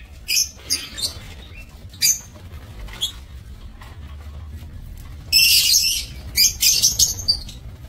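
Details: Aviary lovebirds kept for breeding, 22 November 2024. Short, shrill squawks sound at irregular intervals, then a long harsh burst at about five seconds, then several rapid sharp calls. A quiet hum lies beneath.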